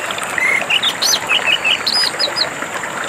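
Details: Orange-headed thrush singing with water in the background, a recording used as therapy for caged birds that stopped singing: a long flat whistle, then quick varied chirping notes and a short descending series.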